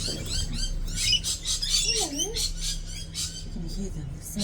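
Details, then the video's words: Several rosellas at an outdoor feeding session on a sunny day near a busy road give loud, rapid, high chattering notes in dense overlapping bursts, with a woman saying how loud they are and a low whistled note underneath. "so loud. The Rosella birds are so loud. Come on."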